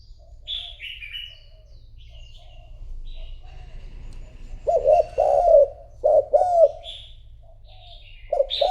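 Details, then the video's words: Decoy spotted dove cooing to lure wild rivals: a few faint high chirps from small birds at first, then loud arched coos in pairs and triplets in the last four seconds, with a low steady hum beneath. "Cu gáy mồi thúc gù gọi bổi , kích cu gáy gù gáy"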